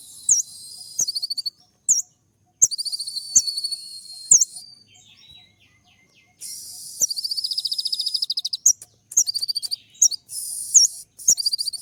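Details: High sunbird song for provoking other birds: long bursts of rapid, dense staccato chips mixed with thin whistled slurs and buzzy rasps, separated by short silences.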